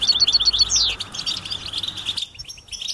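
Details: European goldfinch mating and readiness calls, locally called betbita, used to stir silent males into singing; rapid bright repeated chirps fill the first second, then a sharp sweeping note, followed by softer scattered twittering calls.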